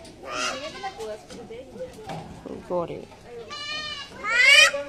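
A common myna gives a varied run of harsh, gurgling and nasal notes, ending in two loud, rising, bleat-like squawks.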